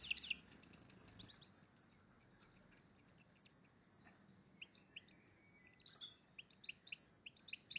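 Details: Goldfinch x red agate canary hybrid in breeding condition singing: scattered high chirps and short twittering notes, some quick clusters, with quieter gaps and a faint background hiss.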